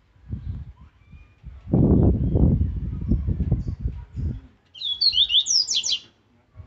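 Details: Double-collared seedeater, aggressive Laranjeira song for training: loud low rumbling and knocking come first, then one brisk phrase of high, twisting whistled notes.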